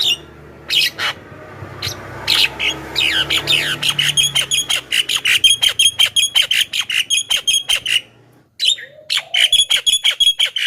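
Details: Javan myna singing as a lure for wild mynas: after a few scattered squawks, a rapid run of sharp repeated chattering notes, nearly three per second, pauses briefly, then resumes.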